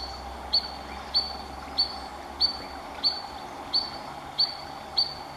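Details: An adult spotted sandpiper gives alarm calls at an intruder too near its fledglings at Three Forks Natural Area, Snoqualmie, WA. It repeats a sharp, high 'weet' about every 0.6 seconds, eight notes in all, over a faint steady hum.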